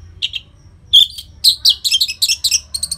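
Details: Orange-headed thrush in loud, fast-paced singing used to coax silent caged birds into song: after two soft opening notes, a clear whistle leads into a rapid run of short, sharp, varied notes with brief gaps.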